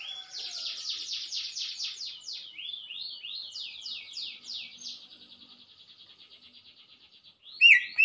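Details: Cucak ijo delivering a fast, scratchy run of rising sweeps that fade into a thin trill, then loud whistled notes return at the very end.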